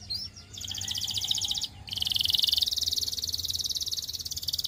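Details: Canary singing for training practice: a long, fast metallic trill of rapid repeated notes, broken by a short pause and then resumed louder and steadier, over a faint low hum.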